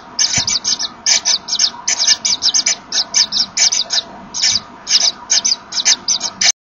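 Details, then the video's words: Inside a Common Kingfisher nest chamber, a pair blowing at each other as the female enters with a small fish to feed and brood chicks; rapid rhythmic hissing puffs, ending abruptly. "Ze blazen wat tegen elkaar, kennelijk bepalen ze zo elkaars locatie."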